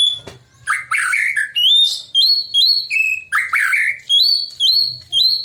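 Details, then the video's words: A white-rumped shama sings a relaxed but provocative song to set other shamas singing: rough chattering bursts alternate with bright upward-sliding whistles, repeated roughly twice a second. "kicauan santai tapi bikin emosi, murai manapun pasti ikut bunyi"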